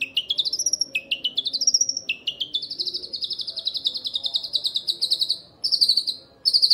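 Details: Young long-tailed shrike giving a long chattering call: rapid series of sharp notes sweeping upward, repeated in rising runs and then held as a steady, fast, buzzy trill, briefly broken near the end, with no other clear sounds.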